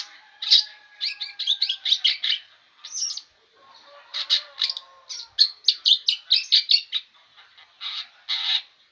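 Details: Cendet, a long-tailed shrike, in nonstop song: quick runs of bright staccato chirps in dense clusters, a brief pause, then another rapid string of sharp notes, over faint lower whistled tones.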